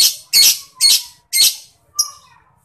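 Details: Lovebird giving four harsh, high squawking notes at roughly half-second intervals, the last one shorter and thinner, in an otherwise quiet setting.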